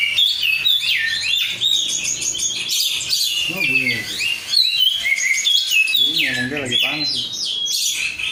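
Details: Korean-strain oriental magpie-robin, kept bird, singing dense high whistles and trills, interspersed with repeated wavering lower warbled phrases, a loud, nearly unbroken stream of sound.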